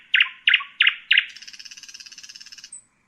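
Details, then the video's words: Four loud, evenly spaced chirps from a common nightingale run straight into a fast, rattling high trill lasting over a second. A thin short whistle closes the phrase. "Common nightingale,beautiful birdsinging"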